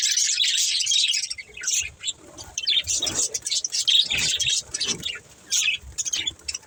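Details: A budgerigar family, described as playing, chirps in loud high bursts of warbling that come and go, louder at first, then broken into short chirpy spells with quieter gaps.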